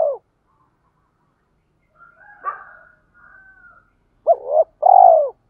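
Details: A spotted dove decoy gives a calling coo used to stimulate newly caught doves. A fading coo opens the recording, soft scratchy sounds follow in the middle, and a clear phrase of a double note and a long falling coo closes it.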